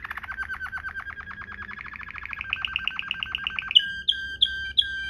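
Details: Canary in luxurious Waterslager-like 'ngerol' rolling song, meant for tutoring canaries: a long rapid trill that slowly rises and quickens over about three seconds, followed by four separate ringing whistled notes.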